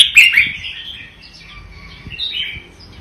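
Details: Red-whiskered bulbul of the Vietnamese strain giving a doubled song: a loud rich chirping phrase at the start, fading into softer rolling warbled notes that rise again briefly near the end.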